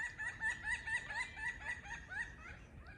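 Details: Three Pileated woodpeckers on a large oak tree trade loud, hollow wuk notes in an animated exchange, about two a second in an uneven back-and-forth run that fades toward the end.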